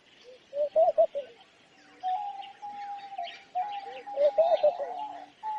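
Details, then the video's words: Homing pigeon cooing outdoors by trees: quick pulsing, wavering coos at the start and again near the end, with a long level tone between and light bird chirping above. "Sound of Homing Pigeon"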